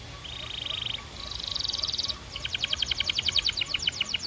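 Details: Belgian canary giving steady buzzy trills at two pitches, followed by a long, very rapid series of sharp repeated notes.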